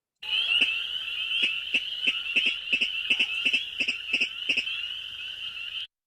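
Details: A Virginia Rail, a secretive marsh bird, gives its common "tick-it" call, which carries a very long way: sharp, clicking notes repeated irregularly two or three times a second, over a steady high-pitched buzzing chorus of insects or frogs.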